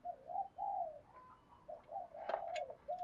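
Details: Spotted dove kept as a decoy to lure others, cooing at a distance: a run of mellow hooting notes over background hiss, with a few faint clicks partway through.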